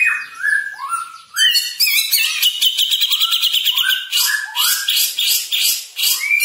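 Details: Cucak jenggot (grey-cheeked bulbul) singing fast 'speed rapet' style, mixing sliding whistled notes with long bursts of harsh, rapid buzzy chatter, then returning to quick rising whistles.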